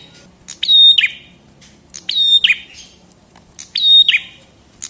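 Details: Chestnut-headed tesia from a 2022 masteran recording: three evenly spaced phrases, each made of ticking high notes, a flat shrill whistle and a buzzy drop, about 1.4 seconds apart in quiet surroundings.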